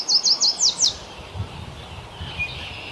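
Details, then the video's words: Yellow warbler from Ontario, Canada, delivering a short burst of five high, sharply slurred notes, fast and sweet, followed by soft rustling background and a faint distant chirp. "Lovely Yellow Warbler Bird Singing. Warbler Bird Song."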